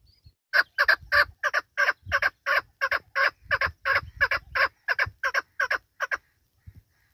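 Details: Chukar partridge, national bird of Pakistan, calling loudly and close: a run of about seventeen strong, even chuck notes in quick rhythm, ending abruptly after six seconds with a faint note afterward.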